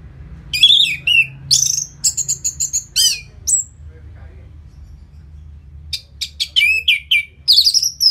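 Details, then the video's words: Orange-headed thrush after its moult, song meant to make birds more aggressive: varied, loud high phrases of sharp chips, slurred whistles and fast stuttered notes, a quiet pause midway, then another lively burst. "Pancingan Suara Burung ANIS MERAH Pasca Mabung"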